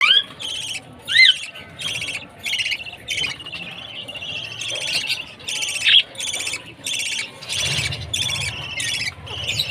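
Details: Baby budgerigar chirping at food time: harsh, buzzy chirps repeated in quick bursts of about half a second, with a few thin rising whistles near the start and a low hum underneath.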